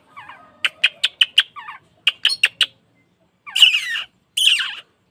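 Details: Training song of an Oriental magpie-robin for caged birds: soft twittering, then rhythmic sharp chips in two series, closing with two harsh, grating buzzy bursts.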